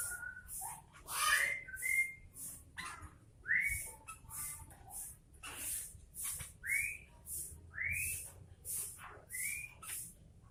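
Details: Sooty-headed bulbul singing lively, a series of short, clear whistled notes sweeping upward, repeated every second or so, with steady rhythmic hissing bursts in the background throughout.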